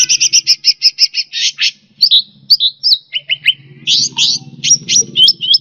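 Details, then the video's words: Indonesian grassbird, known locally as cucak rante, in a masteran song recording for training caged songbirds: it opens with a fast string of repeated buzzy notes, then shifts to varied clipped whistles and twisting chirps. "Suara Burung Cucak Rante"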